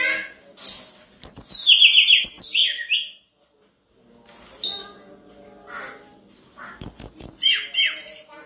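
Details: A tledekan gunung gives a loud song used as a tutor track for other birds: bright, high, squeaky phrases of quick notes that slide downward, in bursts with short pauses between, over faint room noise.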